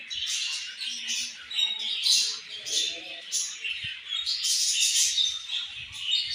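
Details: Many budgerigars chirp at once, a lively, continuous chatter of high squeaks and warbling notes with a few brief clicks and taps in the background.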